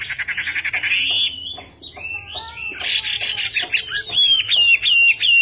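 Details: Chinese hwamei singing a long, rich, varied song: rapid stuttered notes, then sweeping whistles and a run of bright trilled phrases that grow louder toward the end.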